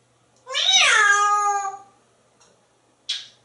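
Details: African grey parrot kept as a pet in a home in Texas, imitating a cat: a single drawn-out, harmonic meow that rises then falls over about a second and a half, followed by a short breathy click.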